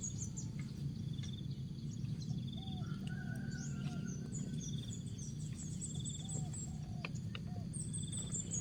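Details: Spotted dove in Asia, song in the styles locally called jergot, tapau and bungkus: soft low arched coos in two short runs, against high thin chirps of other birds, a steady insect buzz and constant low rumble.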